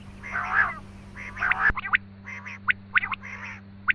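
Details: Quail lure call for hunting: coarse grating phrases followed by quick, sharp rising chips, singly and in pairs, roughly once a second over a low hum.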